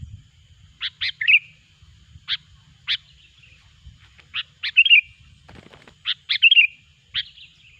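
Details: Sooty-headed bulbul lure song for trapping: short, clear chirped notes given in small groups, several ending in a bubbly warbled turn, repeated at irregular intervals over a quiet low hum.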